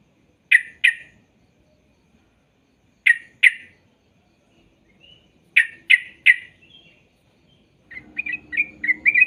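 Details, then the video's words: Sooty-headed bulbul sounds, used for training young untrained birds to sing: sharp paired chirps repeated about every two and a half seconds, then a quicker burst of chattering notes over a low hum near the end. "Putarkan Suara Trucuk Ini Biar Trucuk Bahan Cepat Bunyi"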